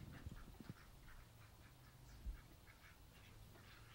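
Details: Mallard ducks, two males fighting over a female: a rapid run of short, harsh, nasal calls repeating several times a second throughout, with a few low knocks and a dull thud partway through.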